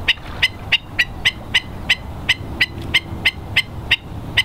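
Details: Hawaiian stilts (ae'o) at West Loch Shoreline Park, Pearl Harbor, Oahu, at low tide on 16 March 2013, giving sharp, high yapping notes, about three per second in a steady series, over a low background rumble.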